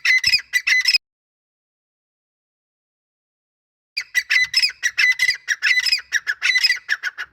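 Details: Male grey francolin with a female, giving a short burst of grating notes, then three seconds of silence, then a rapid, uneven string of loud, harsh squawks.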